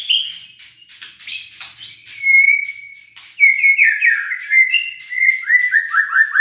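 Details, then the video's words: White-rumped shama in song, intended to spark unmotivated birds into singing: scratchy clicking chatter, a long pure whistle, then an energetic run of warbled whistles ending in quick repeated downslurred notes. "PANCINGAN EMOSI MURAI BATU LOYO DAN MALES BUNYI"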